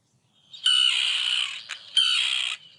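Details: Common Tern in Connecticut, newly arrived in spring and nesting among a least tern colony, giving two long, harsh, drawn-out, high-pitched 'kee-arr' (kia) calls about a second apart.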